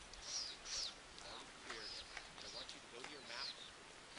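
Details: Gregarious acorn woodpeckers at a granary tree storing acorns give soft, nasal, raspy calls in an uneven chattering series, with thin high chirps and a sharp click at the end, not their laughing call. Acorn Woodpecker.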